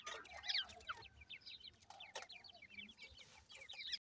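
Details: Grey francolin chicks calling their mother: a busy stream of short, thin, high peeps from several overlapping callers, with a few louder chirps near the start.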